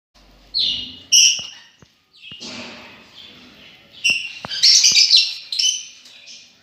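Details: Lovebirds giving sharp, shrill chirps and squeaky calls in scattered bursts, some rising into loud clustered screeches toward the end, with a few brief clicks between.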